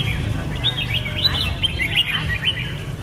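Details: Red-whiskered bulbul (Pycnonotus jocosus) singing a run of bright, bubbly whistled phrases, rising and falling, over a steady low rumble.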